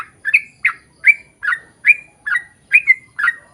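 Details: Sooty-headed bulbul singing long, lively phrases to coax others of its kind to answer; crisp chirpy whistled notes, some doubled, fall in an even series about twice a second.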